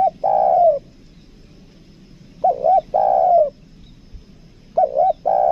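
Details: Spotted dove lure bird from Lombok, 'kuk dua' two-note type: three phrases, each a quick double note followed by a drawn-out, gently descending coo, repeating roughly every two and a half seconds.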